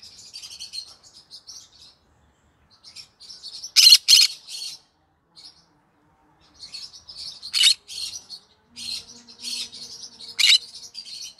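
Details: Green-cheeked conure singing in the evening: bursts of high, scratchy chirps and twittering, with two loud harsh squawk-like notes near four and eight seconds and a final sharp burst before ten and a half seconds; otherwise quiet.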